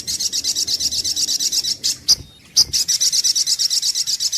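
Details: Sunbird lure recording, sogok ontong: a fast steady series of high, sharp, metallic notes, briefly broken by two loud single chips, then resuming at the same quick pace.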